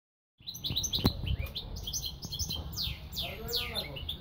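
A goldfinch-canary mule sings a fast, twittering run of high chirps and sweeping whistles, rising and falling in quick succession over a low indoor rumble.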